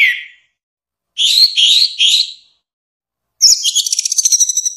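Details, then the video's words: Orange-headed thrush song for training songbirds: a short whistle, then three bright chirpy notes. After a pause comes a high, rapid, buzzy trill of quickly repeated notes. "Kumpulan suara istimewa Burung Anis Merah || Masteran kicau dan Terapi terbaik burung macet bunyi"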